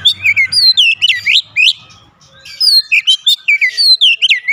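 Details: Kacer, the Oriental magpie-robin, singing rapid phrases of clear looping whistles and sharp upslurs, one short gap midway, then another quick whistled series; faint low rumble early on.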